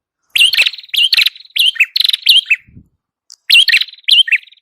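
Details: Singing prinia known as prenjak kepala merah, used to lure birds: a fast series of buzzy rattles and sharply rising whistles, a short break with a faint low thump, then two more phrases.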